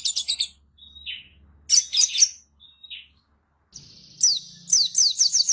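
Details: Sooty-headed bulbul singing: short bursts of bright chirps, then clear whistled notes sliding downward, ending in a quick series of sharp descending notes repeated several times per second.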